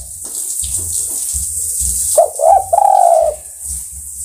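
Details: Spotted dove, known locally as tekukur, calling to other birds: a short series of low, soft cooing notes in the middle of the clip, with quiet low rumbling background noise before and after.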